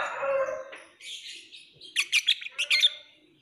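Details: Lovebird produces a harsh rasp, then a quick run of about eight sharp, squeaky chirps in rapid succession.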